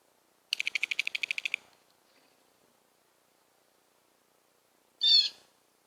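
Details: A male blue jay chuckles and scolds after flying off: a fast, harsh chatter of about eleven clicking notes in a second, then a pause and one short, grating scold note.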